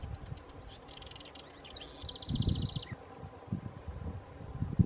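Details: Chercan or house wren vocalizing at Lago Sofia in Chile's Magallanes Region: jumbled high chips followed by a quick rattling trill that drops at the end, with rustling and low handling sounds.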